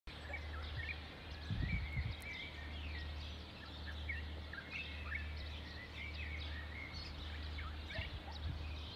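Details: A busy morning chorus of sparrows in Sultan Yacoub, with many short, bright chirps overlapping throughout over a steady low underlying rumble.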